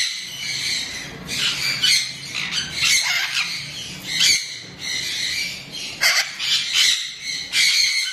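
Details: An angry baby severe macaw gives harsh, grating squawks in uneven bursts, roughly every half second to second, with a faint low hum behind, expressing anger or agitation.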